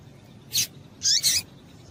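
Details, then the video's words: Calls of a female Double-collared seedeater, used to excite males: a single sharp high chirp, then a rapid doubled chirp with a descending lower slur, against faint hiss. "Piado de Fêmea de Papa capim Para Esquentar Papacapim"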